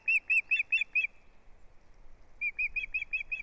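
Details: Osprey at its nest on 6 April 2017, filmed by a live nest camera as the male shares a large fish with the female; clear whistled chirps repeat about five times a second, pause, then resume in a second even series.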